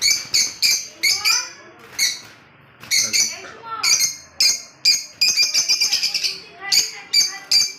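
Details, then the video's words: Lovebird from Kolkata giving a rapid series of harsh, high, screechy chirps in short bursts, with a brief pause, then a fast stuttering run of clipped notes. "love bird funny sound"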